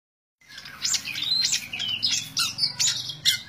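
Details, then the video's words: Long-tailed shrike singing in tembak ngebren style: harsh, squawky bursts of high broadband notes, loosely repeated about twice a second, with a low hum underneath. "Burung cendet tembak ngebren"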